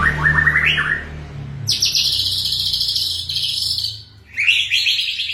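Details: White-rumped shama in rapid, dense, continuous song: a quick rising series of trilled notes, then a long, high, buzzy rattling stretch, a short pause and another buzzy burst, with a low hum underneath.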